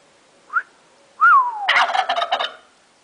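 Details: Turkey gobbling in response to whistling: two short rising human whistles, then a loud, rapid, rattling gobble of about one second that fades out.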